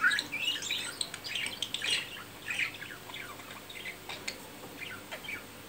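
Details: Courting budgerigar around mating time: a continuous scratchy warble of rapid, varied chirps that fades into softer, sparser notes.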